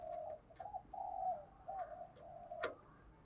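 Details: Spotted dove giving 'thúc gù' coos, distant and softer, a run of mellow level notes over background hiss, with a sharp click near the end.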